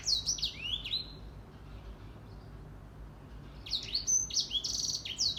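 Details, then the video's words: Morning song of a grey singing finch (Edel Sanger): a brisk phrase of high slurred whistles that drop in pitch, about two seconds of quiet, then a fresh burst of bright, rapid twittering notes. "Grey Singing Finch / Edel Sanger Bird Singing / Gacor di pagi hari"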